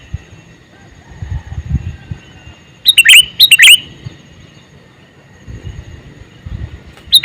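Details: Male sooty-headed bulbul calling: two loud, bubbly chirping phrases in quick succession near the middle, a third short phrase at the end, with quiet low rumble between.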